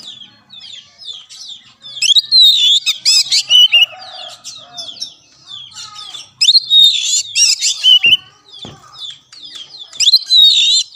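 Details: Training song of the kacer, the Oriental magpie-robin, played to get a silent caged bird singing. Quiet chattering builds into three loud bursts of mixed whistles, chirps and scratchy notes.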